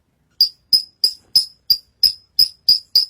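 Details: Bush lark known locally as branjangan, singing keenly after being brought up on stage, repeats one short, sharp, high chip nine times at a brisk, even pace of about three per second.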